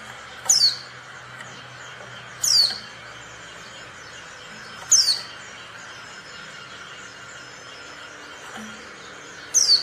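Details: Female Oriental white-eye giving five thin, steeply descending whistles about two seconds apart, used to prompt silent males to start singing, over a faint steady hum.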